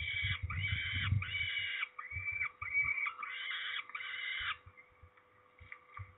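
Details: Peregrine falcon being ringed in Trzebież, Poland, 13 May 2019: long, loud, grating wails about half a second each, repeated several times, then softer clipped notes and scattered knocks as it quietens.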